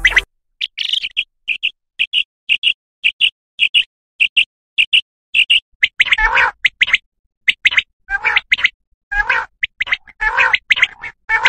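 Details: Common quail sound used for hunting quail: quick, high, clipped notes in pairs and triplets, then a run of harsher, fuller chattering calls repeated in bursts.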